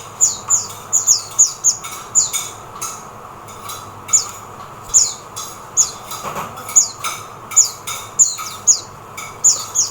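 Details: Oriental white-eye in the Philippines calling almost continuously: rapid high, thin chirps dropping in pitch, several per second in places, over a steady hiss.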